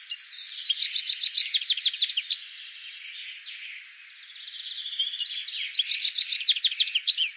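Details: Song of a Citril finch: two bursts of rapid, evenly repeated high trilled notes, each lasting about two seconds, separated by a softer buzzy, wheezy passage.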